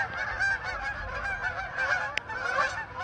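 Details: Canada geese in a flock flying around a residential neighborhood, giving a steady stream of overlapping honks, one sharp click partway through.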